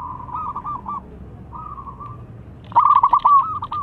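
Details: Zebra dove of local stock, a rival answering its call: softer distant pulsed coos and a long held note, followed by a loud close phrase of rapid rolling notes ending in a sustained tone.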